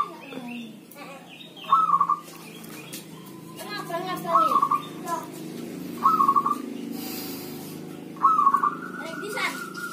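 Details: Owned zebra dove, healthy, cooing in rain or drizzle: four short rolling, stuttered phrases about every two seconds, with people talking loudly in the background.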